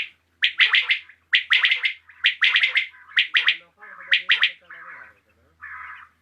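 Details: Common quail (batair) in the evening, giving quick triple-note phrases of sharp liquid notes again and again, ending with a couple of softer buzzy low notes.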